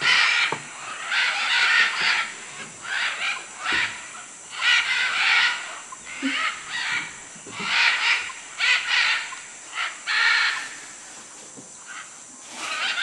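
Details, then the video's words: Macaws in Manu, Peru, giving harsh, raspy squawks in repeated bursts roughly every second, some overlapping as several birds call together, over a steady high hiss of insects. "Guacamayos Manu Perú"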